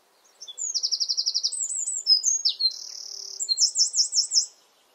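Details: Eurasian wren singing in a garden, partly hidden, pours out a loud, very high, rapid song of rattling trills and sharp warbled notes, switching phrases quickly over about four seconds, against a quiet background.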